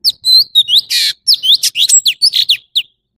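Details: A brief orange-bellied leafbird phrase of clear looping whistles, one long rasping note, and quick chirps, all loud and close.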